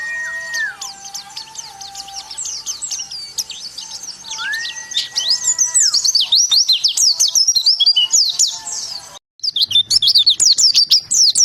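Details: High, busy twittering of a white-eye building into a dense, continuous stream of rapid chirps, accompanied by a couple of long, steady whistled tones lower down early on and a brief dropout near the end.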